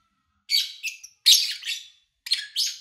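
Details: Lovebirds recorded in August 2019 at an owner's home: three short groups of harsh, high-pitched chirps, each a loud note followed by softer trailing twitters, separated by short silences.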